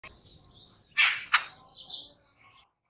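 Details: A Jungle Babbler gives two loud, harsh, rasping notes close together, with thinner high chirps from other birds before and after.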